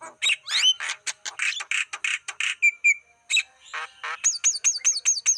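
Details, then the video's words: Wild-bird lure of Black-winged starling song, harsh chatter and buzzy notes, a short flat whistle, then a rapid string of about eight identical falling high whistles. "Masteran Suara pancingan burung jalak kebo"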